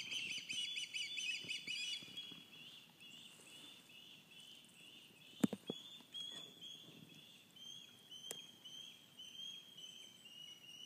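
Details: Ospreys, fledglings and adults near the nest at Cleawox Lake one morning, calling in alarm: a fast run of sharp chirped whistles at the start, then fainter drawn-out whistles over background noise with a couple of clicks.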